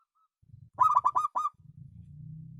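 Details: Local zebra dove giving one short cooing phrase of five quick, rolling notes that stop abruptly, over a steady low hum.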